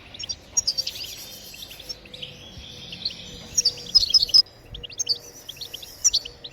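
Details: European goldfinch, a song track for prompting other birds to sing: lively bursts of high, sharp, tinkling twitters and buzzy runs, broken by short silences, with a faint steady low tone behind.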